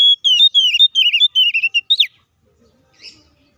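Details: White-rumped shama giving fierce fighting song used as a lure to rile other shamas: fast sequence of wavering, slurred whistles dropping in pitch, closing with a steep rising note, then near silence.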